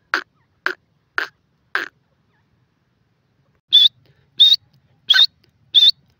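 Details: A grey francolin gives four spaced, dry clicking notes, a two-second pause, then four loud, high, quavering whistled notes at steady intervals.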